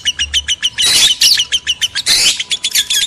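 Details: Lovebird breeding-lure sound: a quick series of clipped high chirps broken by two harsh, loud squawking bursts, then more rapid chirping.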